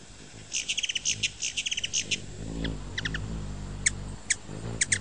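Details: Ruby-throated hummingbird giving rapid bursts of sharp, high chips in quick runs, then a pause, then a few sparse single and paired chips near the end, over a low background rumble.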